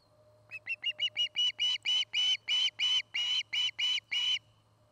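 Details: Osprey at a nest in Charlo, Montana, on a nest camera: about fourteen whistled chirps, starting soft and short, then swelling into longer, louder, slightly harsh notes at a steady rhythm; faint hum in the background.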